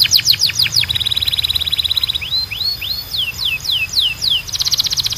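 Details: Canary song used for training caged birds to sing: rapid descending whistled sweeps, a steady rattling trill, then a series of slower upward-curving whistles and another fast trill, all high-pitched and energetic.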